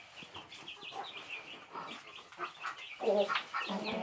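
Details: Chicks with their mother give quieter scattered high peeps, while the hen adds low clucking notes that grow stronger near the end.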